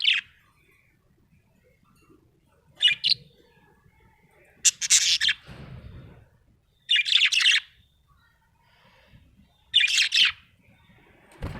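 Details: A happy budgie chirping: short bright bursts of high, scratchy chirps come roughly every two to three seconds, with quiet pauses between them and faint low rumbling in the background.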